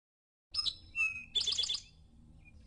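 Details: Eastern Towhee at dense brushy forest edge in the Ozarks on a spring morning gives its drink-your-tea song: two clear high notes, a lower one, then a quick trill of about five bright notes, over faint hum.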